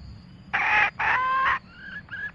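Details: Red junglefowl, male and female, calling the flock, played as a trapping lure: two loud, rough, harmonic bursts of about half a second each, then two fainter, thinner tonal notes over a low background hum.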